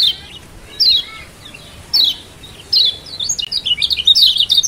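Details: A Lombok mountain white-eye gives high, thin chirps in short bursts about a second apart, building into a fast, continuous twittering; the recording is used to tutor and stimulate reluctant-singing white-eyes.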